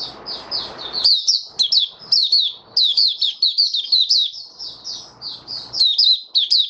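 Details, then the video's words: White-eye in open song, dense high chattering twitters strung together almost without pause, some notes sharply downslurred, over a soft background hiss. "Mata Puteh Raja Stablizing his form buka sing"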